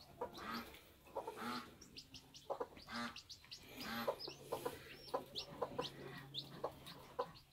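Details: Bantam chicken at a homestead hatching: drawn-out low clucks early, then quicker short clucks mixed with a few high, falling chick peeps.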